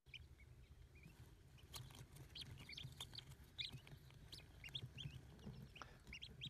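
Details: Newly hatched wood duck ducklings in the nest, which they leave within 24 to 48 hours after about a month's incubation; the brood gives many overlapping high, thin peeps, several each second, over a steady low rumble.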